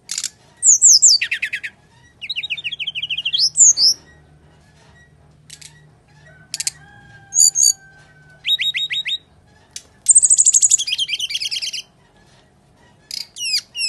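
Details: Long fighting song of a brown-chested jungle flycatcher, played to stir lazy singers: varied phrases of falling whistles, buzzy rattles, sharp high chips and fast trills separated by short pauses, with a faint steady low hum.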